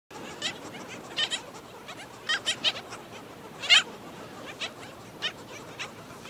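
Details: Black skimmer adult feeding a chick at St. Pete Beach, Florida: short harsh, nasal calls given singly or in pairs at irregular intervals over a steady hiss of background noise.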